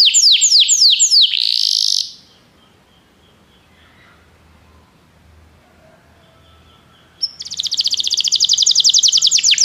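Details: Belgian canary song used to prompt other canaries to sing: descending whistled sweeps and a buzzy note, then about five seconds of near silence, then a fast dense trill resumes.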